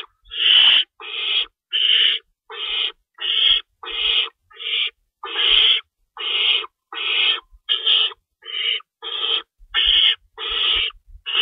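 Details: Owls at their nest during feeding time before dawn on March 25, 2012, rabbits in store and food being shredded for the young; a steady run of about seventeen short, harsh hissing screeches, roughly one every two-thirds of a second.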